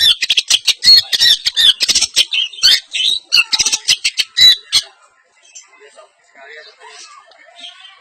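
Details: Long-tailed shrike, East Javanese semi-blangkon type, showing off its filler repertoire: about five seconds of fast, grating high chatter in quick bursts, then fading to soft, scattered murmurs.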